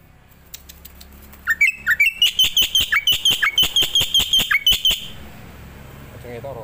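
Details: Starling song used as training audio for other caged starlings: a few rising whistles that run into a fast, steady string of sharp high chirps, then fade to quiet background hiss.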